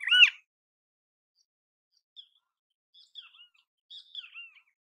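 A great kiskadee gives one loud, harsh, arched note, then a few faint, higher chirps scattered over the next few seconds in otherwise quiet surroundings.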